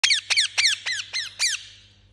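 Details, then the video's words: Angry parrot chirping: six harsh, squeaky notes with a sharp downward sweep, the first three quick and strong, then slightly spaced and fading, followed by a steady low hum. "Angry Chirping Parrot Sound"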